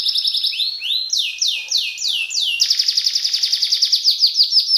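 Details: Singing colour canary delivers a series of rising whistled swoops that quicken into a fast, even rolling trill of short notes, several per second, bright and close.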